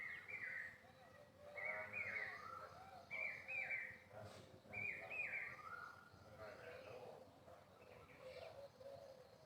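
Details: Dancing peacock giving clear, tonal calls that bend up and down, delivered in separate bursts a second or two apart, with lower harmonics and a faint noisy background.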